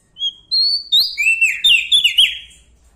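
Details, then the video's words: Lombok bar-winged prinia with a loud, ringing voice: a short whistle, then a rush of piercing, downslurred notes delivered in quick succession for about two seconds. "Prenjak Daun Lombok gacor Mental Juara Nempel Sama Burung Besar Suara Nyaring"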